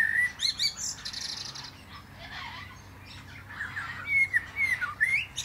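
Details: Common blackbird song from a plum-tree top: a clear whistled opening, high scratchy chatter, a quiet gap, then a fresh run of bright slurred whistles rising and falling.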